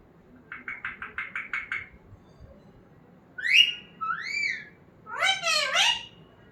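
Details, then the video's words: Pet talking parrot in a small room gives about eight rapid, evenly spaced chattering notes, then a steeply rising whistle, an arched whistle, and a loud harmonic squawk-like phrase. "Talking parrot Mitthu 🦜 Agar aapko bolna seekhana hai apne Parrot ko to dikhae ye video"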